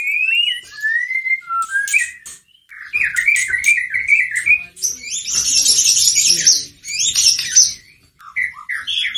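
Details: White-rumped shama song to provoke a caged shama: whistled slurs leading into dense, loud, harsh chattering and twittering, then scattered whistles.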